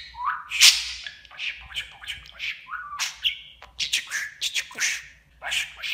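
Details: Talking budgerigar kept at home, imitating human words; rising whistled syllables and scratchy, speech-like chatter tumble out quickly and continuously, loud and high-pitched.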